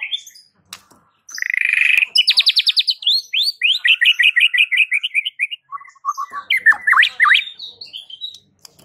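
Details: White-rumped shama delivering a unique song said to get shamas throughout a village answering: a loud rising whistle into rapid repeated trilled notes, descending series of slurred whistles, then sharp up-and-down sweeps.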